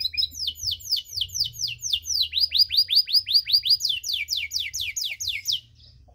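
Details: Canary with a long cengkok song meant to trigger other canaries: a sustained run of rapid, high down-slurred whistled notes, shifting in pace and pitch several times over about five seconds before falling silent.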